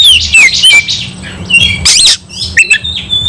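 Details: Kacer, the white-rumped shama, singing while fighting: descending whistles, scratchy bursts and short rising notes, harsh and energetic, low hum in background.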